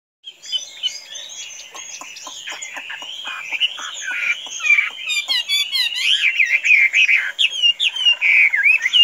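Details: Tame Chinese hwamei, kept as a pet and said to be free-flying without escaping, singing a rich, varied run of whistled and warbled phrases. Rapid clicking notes open the run. The song grows louder and more tumbling toward the end.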